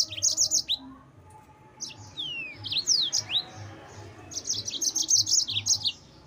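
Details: Yellow-fronted canary, song meant to provoke rival birds: fast bursts of high chattery notes at the start and end, with several sweeping downward whistles between them.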